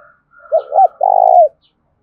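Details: One full cooing phrase of a spotted dove, played to lure wild doves: two short hollow hooting notes, then a long, vibrating, rolling coo that dips at its close. A faint high tone hangs underneath.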